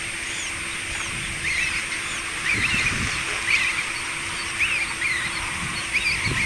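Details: Black tern chick on a breeding raft, practising flying. Thin, high chirping notes come in short bursts about once a second, over a steady hiss, a constant high whine and a low hum, with a few soft low thumps.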